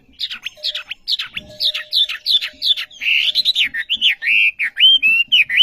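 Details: Wambi, the olive-backed sunbird, in vigorous song: fast, repeated, high downslurred notes for three seconds, then sweeter rising and falling whistled phrases, nearly continuous throughout, with a faint low hum.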